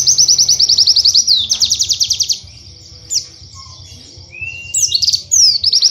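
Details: Tutor song from a caged white-eye, used to train other white-eyes: a long rapid trill of high repeated notes that changes speed, a sustained thin note, then a rising whistle and sharp high chirps.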